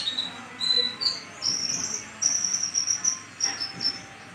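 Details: Sumatran brown-chested sunbird, a long-kept cage bird singing busily despite moulting, used for training other songbirds; very high, thin drawn-out whistled notes strung together with brief twittering breaks.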